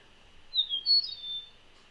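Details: In early spring in northeast Ohio, a meadowlark sings a short phrase of clear, high, slurred whistles that rise and fall over about a second, with a faint background hiss.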